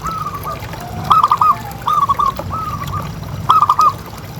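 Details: Local pet zebra dove calling persistently, intended to set other doves calling. Several brisk, gurgling coo phrases of three or four notes each follow one another at short intervals, with a steady low hum underneath.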